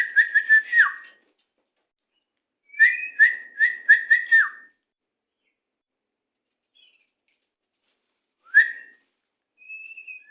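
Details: White-rumped shama song in the 'macet sepid rapat' style, used as a master recording to train captive birds: quick bursts of clear whistled notes on one steady pitch, each ending in a downward slur, separated by pauses, then a lone rising whistle.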